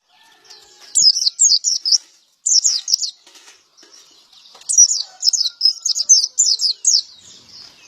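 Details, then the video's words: Male white-eye (pleci) singing in lively gacor style, described as ngalas ngeplong: bright, high twittering phrases of quick down-slurred chirps in bursts of several notes, separated by brief pauses, with faint background chatter. "Burung pleci gacor jantan"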